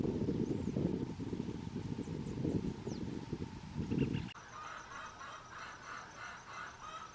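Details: White-eared puffbird calling: after several seconds of low rumbling wind or handling noise with a few faint high squeaks, a quiet rhythmic series of evenly spaced pulsed notes, about three per second, runs to the end.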